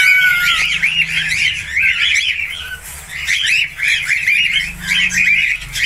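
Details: Budgerigar singing a fast, continuous chattering warble of rapid arched chirps and squeaky notes, with brief pauses midway, over a steady low background hum.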